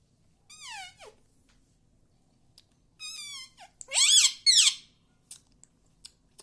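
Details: Household parrot talking, copying Hindi words like mummy and papa: one short nasal phrase, a pause, then three quick loud raspy word-like sounds, ending with scattered faint clicks.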